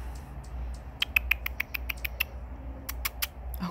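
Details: A young male Anna's hummingbird, chatty near feeders after bickering with another hummingbird, gives a quick run of sharp, dry chip notes, about eight in a second, then a pause and a few more, over a faint low hum.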